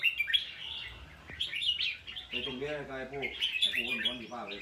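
A red-whiskered bulbul gives bright, bubbly warbled phrases that rise and fall in quick succession, while a person talks in the second half.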